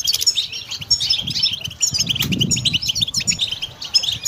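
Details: Pet European goldfinch sings a lively jumble of high, tinkling notes and quick trills, with a soft low rustle or flutter around two to three seconds.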